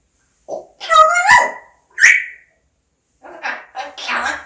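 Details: Indoor pet parrot talking Korean phrases like "subscribe" and "ABC"; a quick mumbled word, a bright rising phrase and a sharp high squeak, then quieter rasping syllables after a pause.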